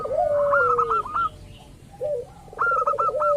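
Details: Local zebra dove calling as a lure meant to set other doves cooing in reply: a low trilled coo sliding downward, followed by a fast staccato run of higher clipped notes, repeated twice with a quiet gap.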